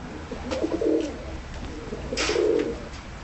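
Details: Tumbler pigeons in a loft, timid-looking but easy to manage, giving two short low coos separated by a pause, with a sharp clap-like noise between them.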